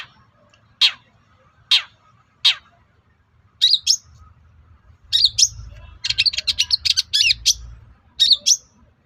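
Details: Long-tailed shrike (cendet) singing to provoke other shrikes to reply: three harsh descending rasps, then a quick chattering run of sharp, high, varied notes in bursts, over a faint low hum.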